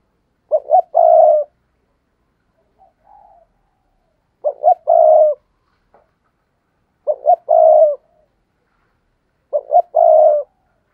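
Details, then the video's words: Decoy spotted dove calling to draw in wild doves: four separate coo phrases, each two quick short notes and then a longer drawn-out hoot, spaced about two to three seconds apart, with a soft faint note between. "tiếng cu gáy thúc bổi"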